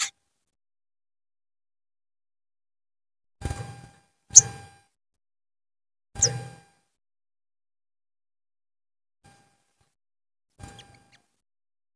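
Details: Only a few scattered sharp clicks and metallic taps separated by long silences, with no animal voice.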